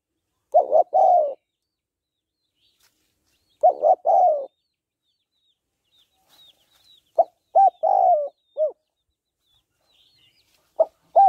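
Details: Female spotted dove gáy gọi, thúc and gù calls to rouse a male: repeated low coo phrases of short notes plus a drawn coo, later phrases adding separate hooked notes. Quiet surroundings.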